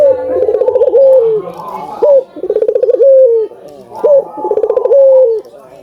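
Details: Albino Barbary dove giving repeated song phrases, meant to set other doves calling: a trilled pulsing burst, a drawn-out falling coo and a short upward note, cycling three times at a steady pace.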